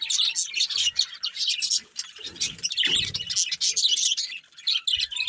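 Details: Several budgerigars warble together in rapid, shrill chirps and buzzy twitters, a steady stream of bright chatter with a few soft low thumps.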